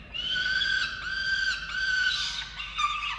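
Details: Falcons feeding chicks at a nest camera in Orange, Australia, on 13 November 2022; a loud, sustained wailing call repeats in phrases of about half a second, briefly dropping in pitch at the end.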